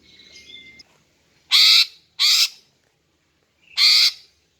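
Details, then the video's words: Female greater green leafbird call for luring males. Three loud, harsh, rasping notes, the first two close together and the third after a pause of over a second, with faint whistling at the start. "Memikat dan Memancing Burung Cucak Ijo Jantan dengan Suara Betina Ini agar Gacor Mantap"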